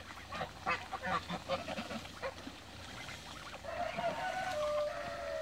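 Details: Mature and young Toulouse geese swimming in a backyard; a series of short harsh honks and cackles in quick bursts, then a drawn-out nasal tone near the end.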